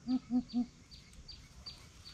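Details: Three quick, deep booming hoots from a greater coucal in a challenge, then only high, regularly repeated insect chirps and a low hum.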